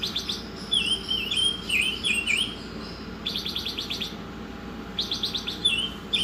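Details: Oriental magpie-robin serving as a tutor songbird: looping whistled notes that dip and rise, then quick rattling bursts of stacked clicks, alternating through the phrase over a persistent low hum.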